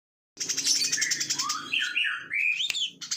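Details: Plain-throated sunbird in chatty, rapid 'ngebren' singing: a dense high buzzy trill, then clear whistled notes rising and falling in a twisting phrase, ending in a sharp upward sweep.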